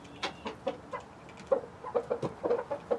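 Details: Hens of several breeds, among them Light Brahma, Barred Plymouth Rock and White Leghorn, kept with a Rhode Island Red rooster, giving quick runs of short nasal clucks that speed up toward the end, between dry pecking taps.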